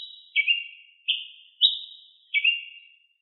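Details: Singing ruby-crowned tanager in nature, four ringing chirps spaced about three-quarters of a second apart, lower slurred notes framing two higher ones, over a quiet background.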